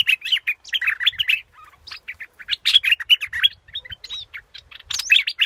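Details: Scarlet-backed flowerpecker heard in bursts of high, thin, twittering chirps, jumbled together and broken by short silences.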